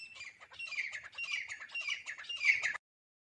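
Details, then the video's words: Teetar, the grey francolin, used as a hunter's lure: a continuous, harsh, squawking stream of rapid notes for under three seconds, then silence. "तीतर की आवाज आहे रांटी.. 🔊🔊 chitracha awaaz aahe"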